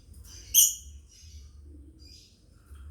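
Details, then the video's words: A family of lovebirds recorded as master chirping for training; a single sharp, bright chirp sounds near the start, then only faint low hum and a few thin distant tweets follow. "MASTER BIRD CHIRPING LOVEBIRDS FAMILY"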